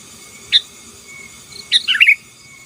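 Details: Sooty-headed bulbul singing to intimidate rivals: a single sharp chirp, a pause, then a busy bubbling phrase of rapid tumbling notes, over a faint constant high-pitched hum.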